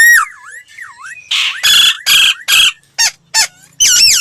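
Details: Laughingthrush song for voice training, made of looping whistled slurs followed by harsh, buzzy bursts repeated several times, ending in a bright whistled note.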